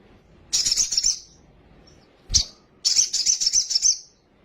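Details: Sunbird, a bird said to be quickly agitated, singing a full song of varied fills: two bursts of very high, rapid, tinkling chattering trills about a second each, separated by a short sharp note.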